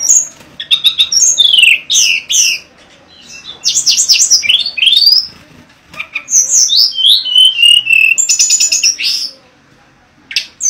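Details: Mangrove blue flycatcher song full of high swooping whistles and falling slurred notes, clustered into fast bursts with quiet gaps in between.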